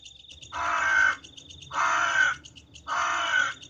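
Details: A crow at night gives three harsh, hoarse caws, each about half a second long and roughly a second apart, over a faint, steady high-pitched ticking in the background.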